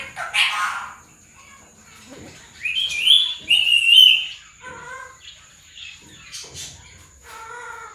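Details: Pet parrot talking, imitating human speech in Sindhi and Urdu with phrases like mithu put and miyan mithu: a harsh opening squawk, then bright squeaky syllables and lower, voice-like harmonic words in short bursts.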